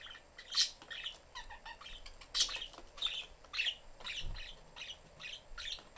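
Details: Pet budgerigar family of father, mother and young in a cage with the door open, the young one seeking attention while the mother keeps busy; scattered bright chirps and squawks with wing flutter and some low thumps.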